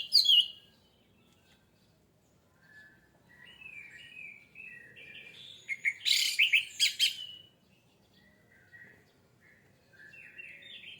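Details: Orange-headed thrush song used as a lure to trigger singing: scattered varied whistled and warbling phrases, a dense bright burst of rich notes near the middle, then quieter rising and falling whistles with gaps between.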